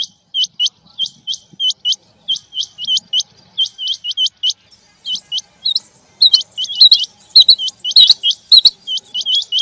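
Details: Male and female quail calling in the rain: sharp, hooked whistled notes in quick clusters of two to four, repeated over and over, with loud broadband clicks and taps joining near the end.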